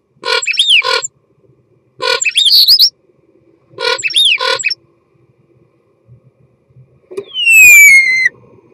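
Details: Common starling giving its mating song: three similar rattling, wheezy phrases with slurred whistles about every two seconds, then a long falling whistle.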